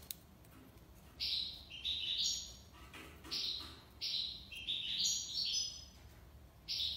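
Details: European goldfinch in tiwawati song: clustered buzzy chirps that step up and down in pitch, delivered in bursts after a quiet opening second.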